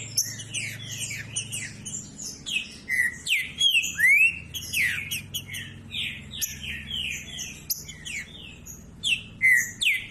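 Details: Green-winged saltator song meant to stir silent saltators into singing: a dense, continuous run of bright whistled slurs, many dropping in pitch, in quick overlapping phrases with short pauses, over a faint low hum.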